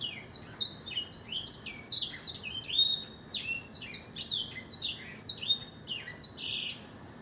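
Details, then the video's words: An extended blackthroat song: a rapid, rhythmic string of high, down-slurred notes, steady and pulsing for several seconds before easing off at the end. "Blackthroat Singing"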